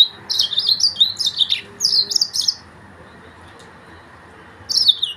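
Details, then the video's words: Mozambique singer, the yellow-fronted canary, gives a short phrase of bright high slurred chirps and twitters lasting about two seconds, then falls silent before a final brief burst. "تغريد فرخ السودان موزمبيق"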